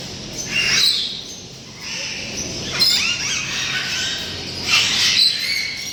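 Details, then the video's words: At Tehran Bird Garden, dozens of parrot species from around the world kept in covered enclosures. About three loud, grating squawks break out at irregular intervals of roughly two seconds over a quieter hum of distant bird chatter. "And here we have dozens of parrot species from all over the world. The noise they make is incredible"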